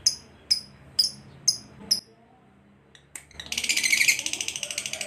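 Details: Pet lovebird in a recording meant for daily training of kept birds, described as 'full bass' style: five sharp, high chirps about every half second, a pause, then a loud, fast, buzzy trill.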